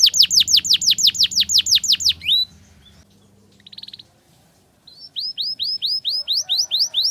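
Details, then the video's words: Canary ngriwik tutor song for young canaries learning to sing. Quick falling whistled notes for two seconds, a pause with a brief soft trill, then evenly spaced rising chirps about three per second. "Masteran Kenari Paud Belajar Bunyi Ngriwik, Pancingan Kenari Muda Agar Bunyi Gacor"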